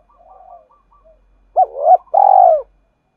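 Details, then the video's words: Spotted dove 'gọi hai hậu' call for stirring competitors to respond: faint soft coos first, then two loud hooked notes and a long purring, buzzy coo that tails off downward. "tiếng cu gáy gọi hai hậu/ tieng cu gay kich boi nhanh noi"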